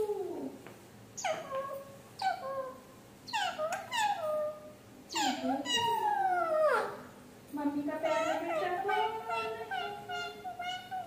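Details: Talking pet parrot mimicking speech: a run of harmonic, voice-like syllables with sharp falling and rising sweeps, some long drawn-out tones, about eleven seconds of near-continuous chatter indoors.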